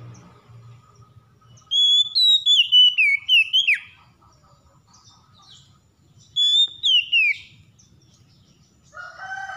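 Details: Oriental magpie-robin (kacer), stressed and provoked into singing, pours out two bursts of sweet whistled notes stepping downward with quick slurs, separated by a pause; a lower buzzy sound appears at the end.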